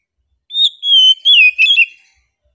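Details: Oriental magpie-robin (kacer) in easy-going song, giving a short phrase of sliding whistled notes that dip and waver, then fall quiet.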